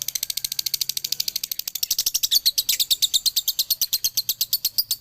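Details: Male lovebird, Ciamis, giving its dobelan song: a long, rapid stream of piercing high chirps repeated around three per second, strongest and most forceful in the middle stretch.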